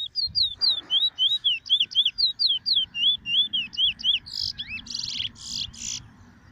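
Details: A small, shy chestnut-bellied seed finch (Trinidad bullfinch) sings one morning on 2 June, its first time on the grounds. It gives a quick run of clear, slurred whistled notes, about four a second, and ends in harsh buzzy notes.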